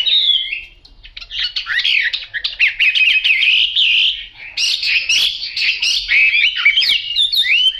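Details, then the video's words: Chinese hwamei, yellow bill and yellow legs, pouring out a long, tumbling warble of rapid whistles and rough chattering notes, briefly pausing midway before resuming. "Họa mi mỏ vàng chân vàng"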